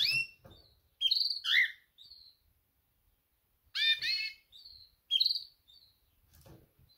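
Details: A female canary's mating call to males: paired high chirps in groups about every two seconds, some dropping in pitch, with soft trailing tweets and quiet pauses between.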